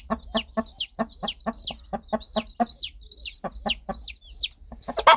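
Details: Hen clucking to her baby chicks to keep them close and protected; quick, even series of low clucks about four per second, a brief pause midway, chicks peeping high and downslurred, ending in a sharper louder note.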